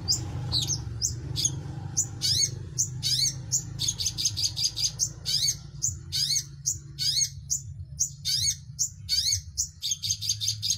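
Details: Long-tailed shrike giving a rapid, lively song of repeated sharp, downslurred high chirps in quick series, some notes doubled, over a constant low background hum.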